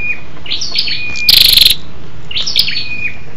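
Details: {'t': 'Female scarlet-backed flowerpecker calling to stir males: thin, high, wavering whistles around a single loud rapid ticking burst in the middle, then more faint high slurred notes.'}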